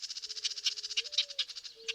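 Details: Harsh, raspy begging notes from house wren fledglings in July in a Montana cottonwood forest, about nine per second, with a faint steady low hum underneath.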